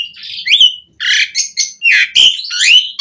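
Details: Jalak suren, or Asian pied starling, in varied 'isian' song used to tutor and provoke other starlings: a few dense phrases of harsh rasping notes mixed with clear rising whistles, separated by brief gaps.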